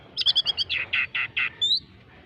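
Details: Oriental magpie-robin song imitating a squirrel: a quick run of five high, clipped chattering notes, then four longer, lower buzzy notes in steady rhythm, ending with one rising whistle.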